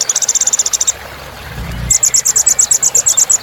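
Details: Kolibri ninja, a sunbird, as filler song for kept birds: fast, even series of high bright chips, about three per second, pausing briefly before resuming.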